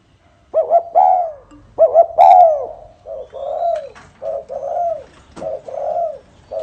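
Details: Spotted dove cooing in the mixed 'pha kim' voice style, a series of soft, hollow, mid-pitched coos in short phrases, each phrase of two or three notes with a drawn-out, downward-curving final coo, repeated steadily.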